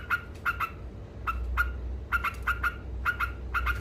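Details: A yellow-vented bulbul (trucuk) chatters in ngekek fashion, described as provoking competitors: short harsh notes, often paired, dropping in irregular quick bursts over a low rumble.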